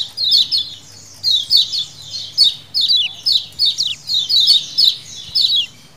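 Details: A lemon-bellied white-eye (kecial kuning) colony in wild style, for luring: loud, high, scratchy chirps in quick repeated bursts, each falling slightly in pitch, from several birds calling over one another.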